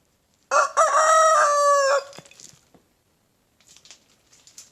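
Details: Young big brown rooster crowing in a backyard in the morning: a single loud, raspy crow of about one and a half seconds, stepped start then a long steady note, followed by soft scuffling.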